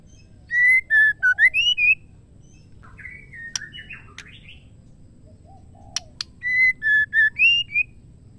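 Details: Caged female white-rumped shama calling to a male, meant to prompt males into song: a short phrase of loud, pure whistles that dips, then rises. Soft, scratchy notes and clicks follow, then the same whistled phrase repeats.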